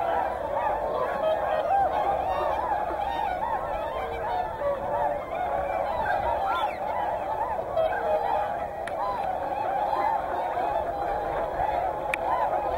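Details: A large gathering of whooper and tundra swans at Hyoko, Niigata, fills the air with sustained overlapping honks and bugling calls, a steady flock din with no gaps.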